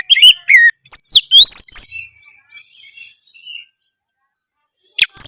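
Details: Kacer, the oriental magpie-robin, delivering lively 'gacor' song: a fast cluster of rising and falling whistled notes, then a trailing softer warble fading out, silence, and a final sharp high whistle.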